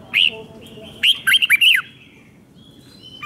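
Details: Red-whiskered bulbul from Thailand singing a five-syllable song meant for young birds to copy: a clear whistled opening note, then a rapid phrase of four looping, bubbly whistles, with a faint later note.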